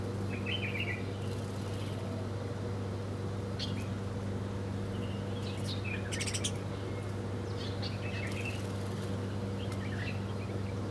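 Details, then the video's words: Several birds chirping while feeding in the morning: short high twittering bursts and sharp clicky notes scattered through the clip, over a constant low mechanical hum. "Different Birds Chirping Sound || Birds Are Breakfasting"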